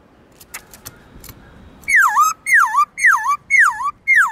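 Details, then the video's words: Kept black-throated laughingthrush with a many-voiced forest song for stimulating wild-caught birds: a few faint clicks, then five loud swooping whistles, each dipping and rising, repeated roughly every half second. "Khướu bạc má hót nhiều giọng kích bổi cực nhạy/Luyện khướu bạc má hót giọng rừng cực chuẩn"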